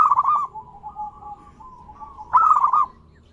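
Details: Zebra dove song meant to stimulate other doves to sing: a rolling coo phrase, a soft steady hum, then a louder burst of quick pulsed notes.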